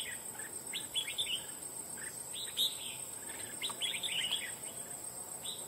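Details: Loud-voiced wild red-whiskered bulbul, caught for fighting after almost two months of trapping, said to chase other birds from the area; repeated short chattering phrases of sharp, bright notes over constant high insect buzz.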